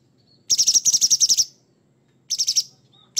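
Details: Short, sharp 'materi kasar' rattles from a lively Sooty-headed bulbul: a one-second run of fast grating pulses, a pause, then a shorter burst and the start of another.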